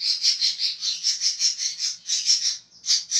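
Budgerigar giving rapid, harsh, scratchy chattering notes, a continuous run of rasping bursts about five per second, high-pitched and buzzy.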